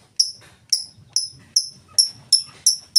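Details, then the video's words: Lovebird ngetik ticking song, free of ngekek, used to lure other lovebirds into song: eight piercing high ticks at a steady pace of roughly two per second, with a soft low background murmur. "Lovebird full ngetik cocok buat pancingan Lovebird mu!!!"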